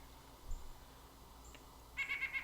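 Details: White-breasted Nuthatch (Sitta carolinensis), a backyard tree-climbing bird, giving its faster version of the nasal laughing call: a quick run of about five closely spaced notes after a soft thump and a faint click.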